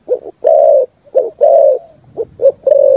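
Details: Spotted dove cooing a full 'thúc gù' song with a forest echo: short coo, long steady coo, short coo, long coo, then two quick notes and a final sustained coo.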